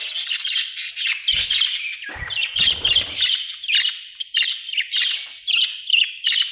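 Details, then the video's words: Budgerigar chirping: a continuous dense stream of high, scratchy twitters and warbles with short squeaky notes, apparently several birds chattering together, with a few brief low thumps. "budgie chirping sound"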